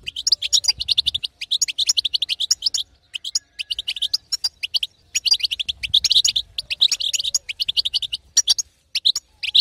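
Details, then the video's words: European goldfinch female twittering, the batbata used to stir a quiet male to song; long runs of rapid high chirps grouped in bursts roughly a second long, separated by brief silences. "أقوى بتبته حسون تهيج وتهبل الحسون الساكت"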